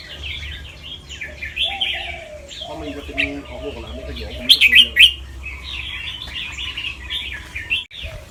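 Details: Caged fancy albino red-whiskered bulbul, white with red eyes, a competition-line bird from Chonburi, Thailand, singing in training. Its song is described as doubled, trilled and quick. Runs of bright chattering phrases include louder bursts midway, with a man talking briefly.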